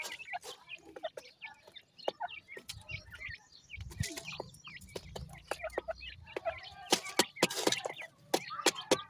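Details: Several grey francolin chicks at feeding time give many short high chirps and peeps with a few lower notes, over sharp clicking and tapping from pecking and movement.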